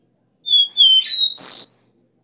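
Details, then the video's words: Copper seedeater (caboclinho) in the 'Dó Ré Mi' strong song style, played to excite caged birds: two high, level whistled notes, followed by a harsh burst and a loud descending buzzy slur. "CANTO DO CABOCLINHO VERDADEIRO - DÓ RÉ MI"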